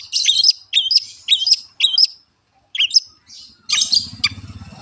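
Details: Long-tailed shrike delivering four near-identical high, squeaky double notes in a row, then a pause, a single repeat, and a final burst of scratchy notes over a low hum.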